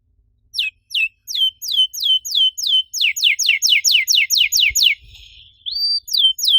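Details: Canary song used to get other canaries singing: evenly spaced downward-sliding whistles quicken into a rapid run, then a held rising note and another swoop; quiet background.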